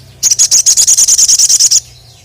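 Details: Sogon, the crested jay, challenging a rival bird: one loud, rapid, high-pitched rattle of about thirteen even pulses lasting under two seconds, with a faint low hum behind.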